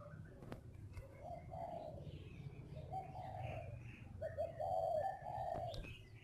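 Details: Spotted dove kept as a lure bird in northern Vietnam: soft, low, drawn-out coos repeated in a slow series, with faint chirps of other birds and steady background noise.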